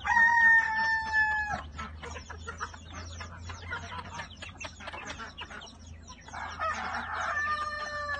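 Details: Chickens leaving their coop in the morning: a rooster's drawn-out crow with a strained, harmonic-rich falling tail opens and closes the scene, while many hens cluck and chatter busily in between.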